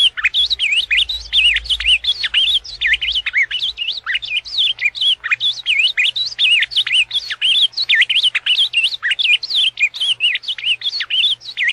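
An Ultramarine grosbeak sings a rich, fast warble of sweet, high, slurred notes, running almost without pause throughout; no other sounds stand out.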